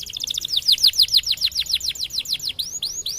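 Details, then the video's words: White canary singing with steady, rapid trills: a fast series of short notes, then repeated downward-sweeping whistled notes about every 0.15 seconds, ending in a few higher rising slurs; song used as a model for training other songbirds. "Kenari Putih Gacor Cengkok Keren Untuk Masteran || best canary singing"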